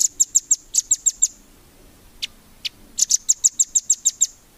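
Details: Nuthatch song used to train competition birds: two quick series of sharp, high, piping notes, about eight notes each, separated by a brief gap holding two isolated softer notes.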